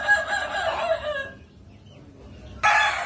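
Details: Crowing Kukuak Balenggek rooster from Minangkabau: the tail of a tiered, multi-syllable crow fades out, then after a pause of over a second a fresh loud crow bursts in.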